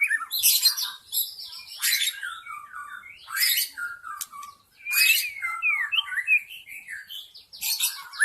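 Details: Lure recording of a wild forest white-rumped shama: loud harsh broadband bursts recurring about every one to two seconds, alternating with fluty descending and looping whistled phrases.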